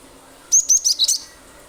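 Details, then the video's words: Cinereous tit in full, rapid 'nembak' shooting song, used as a lure to get other birds singing: one short burst of about five sharp, very high whistled notes, the last ones buzzier and lower, over quiet background hiss. "pancingan ampuh glatik batu gacor nembak nembak pasti burung lain ikut bunyi"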